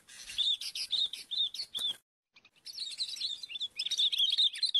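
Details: Sooty-headed bulbul during bird trapping giving rapid bursts of bright, chattering chirps, with a short pause before the busy calling resumes.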